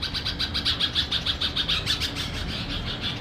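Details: Red-vented bulbul chick giving rapid repeated high chirps, about three per second, steady and evenly pulsed, softening toward the end, with low background hum.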